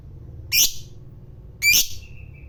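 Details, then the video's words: Two short, piercing raspy squawks from a fighter lovebird, about a second apart, the second trailing into a thin whistle. "Suara BURUNG LOVEBIRD FIGHTER NGEKEK PANJANG,Memancing EMOSI Lawan Agar BUNYI Ngekek"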